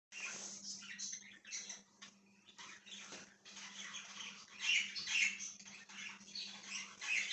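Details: Budgerigar chirping indoors, recorded 1/6/2023: soft, continuous scratchy warbling and chattering with fast twittering notes, growing louder in bursts toward the end, over a low steady electrical hum.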